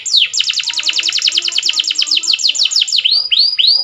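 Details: Canary singing a powerful training song: a fast, bright trill of repeated downward-sweeping notes, about eight per second, then slower rising whistled sweeps, with faint low tones beneath.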